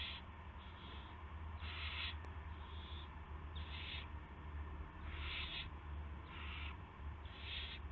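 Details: Owl recorded at 8:00 PM on March 18, 2016, during a gopher delivery at the nest; about eight coarse, noisy hiss bursts spaced irregularly across the stretch, with a steady low electrical-sounding hum beneath.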